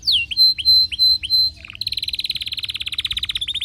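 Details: Singing canary in an excited state gives looping descending whistles and a long held tone, a short rasp, then breaks into a fast, rhythmic rolling trill.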